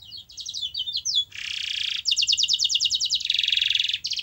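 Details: Canary song as a prompt for a canary that will not sing: choppy trilled phrases, then a dense buzzy roll, a crisp rapid trill and more harsh rolling tours, all high and loud.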